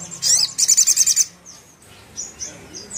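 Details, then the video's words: Ruby-cheeked sunbird song that makes a sogon emotional and furious: a shrill high burst followed by roughly six quick, regular, sharp chirps, then faint thin whistled notes. "Suara Yang Bikin Sogon Emosi dan Ngamuk"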